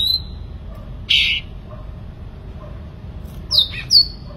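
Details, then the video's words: Sooty-headed bulbul singing vigorously: an opening slurred note, a brief harsh burst, a pause, then two clear descending whistles near the end. "cucak ranting gacor"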